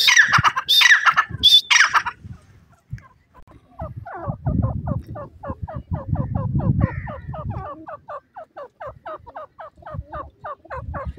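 A francolin gives a fast run of short, squeaky notes, about four a second, after a few loud harsh bursts; a low rumble sits beneath.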